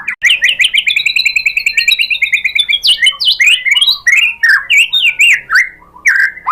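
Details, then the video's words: Lure song of a white-rumped shama, used to goad another shama into singing: a fast series of repeated warbled notes, then varied sweeping whistles, sharp upslurs and downslurs in quick succession. "MURAI BATU jadi EMOSI NYAUT ikut BUNYI GACOR BONGKAR MATERI dengan PANCINGAN MURAI ini ¦ SHAMA BIRD"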